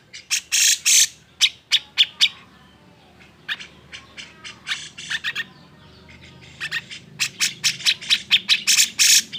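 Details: Agitated cucak jenggot song intended to provoke lazy birds into singing; loud harsh bursts and sharp chirps in uneven clusters, with a quieter middle section of softer notes.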